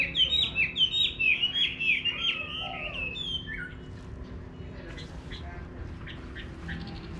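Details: Chinese hwamei in a rural garden delivers rapid rich whistles and slurred notes for about three seconds, then fades to quieter scattered phrases over a steady low background hum.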